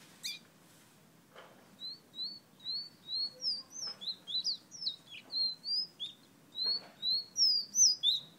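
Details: Fire-red bird of Guyana whistles a rapid, fairly even string of short, bright notes, some rising and some falling, about three per second, with soft rustles in a quiet background.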